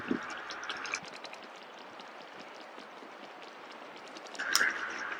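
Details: Steady rushing hiss of wind and water with a few louder splashes; no clear animal calls.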